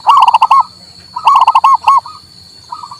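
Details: Male zebra dove of local stock, recorded to prompt a non-singing bird: two full phrases of rapid bubbling coo notes, then a softer partial phrase, with a constant thin electronic-like tone behind.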